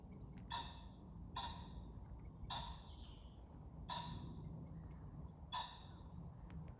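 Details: Common pheasant at night, 28 February 2023: five harsh, hoarse calls, each a second or more apart, over a steady low rumble.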